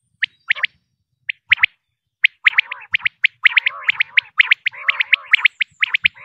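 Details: Batair, a female common quail: scattered single chirps at first, then a busy, near-continuous run of bright clipped notes in rapid clusters. The recording is a hunting lure.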